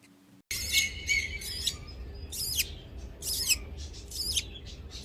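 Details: A breeding pair of budgerigars gives bright, scratchy chirps in quick bursts, repeated every second or so.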